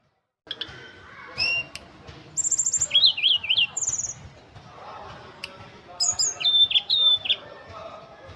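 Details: Tledekan gunung, or ashy tailorbird, in full wiksar song: bursts of high chirps, a zigzagging whistled phrase, then more chirps and a second wavering whistled phrase.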